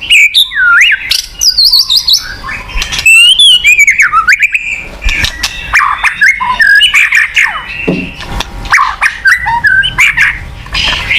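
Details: White-rumped shama song used to stimulate a shama that has gone quiet: a jumble of sweeping whistles, squawky harsh notes and high twittering phrases, busy and continuous.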